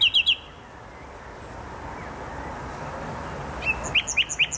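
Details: Nightingale in the botanical garden in Poznań, Poland, giving short bursts of quick, sharp repeated notes at the start and end, with a long quiet pause in between.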